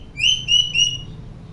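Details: Common hill myna from a tutor recording for silent young mynas gives a high, clear, level whistle in three joined pulses, lasting about a second.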